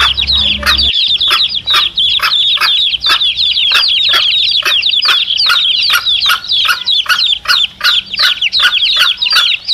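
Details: A brood of chicks with the mother hen, a recording played to lure wild male junglefowl. Dense, shrill cheeping runs nonstop, punctuated by rapid sharp pulses about three times a second, with a brief low thump near the start.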